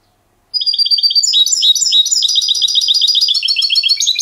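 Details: Trained European goldfinch, a silvestrismo bird, singing clean song in the Diego Murcia and Zujareño styles: after half a second of silence, rapid high twittering phrases, liquid trills and tinkling notes run continuously, dense and bright, with no other sounds.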